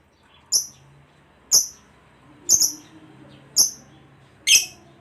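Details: Lovebird kept as a pet, voiced in 'full bass' style for daily training of birds: five clipped, very high chirps roughly one second apart, the last one fuller and harsher.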